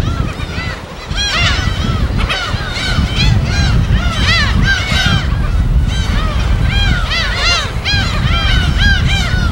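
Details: Gulls calling at a wild colony on an uninhabited West Sea island: rapid overlapping nasal, arched cries from many birds over a steady low rumble of waves.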